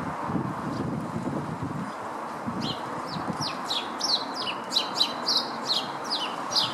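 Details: Lesser redpoll feeding on and off for hours at a garden nyjer feeder in Howdon, 3 May 2016, giving a quickening series of high, sharp chirps that starts midway and runs to the end, over soft low rumble.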